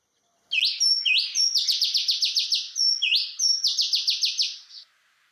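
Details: In a garden in western Thailand, an Oriental Magpie-Robin (Copsychus saularis) sings two bright rising whistles, each followed by a fast run of clear, repeated sweet high notes, melodious, with no other sounds.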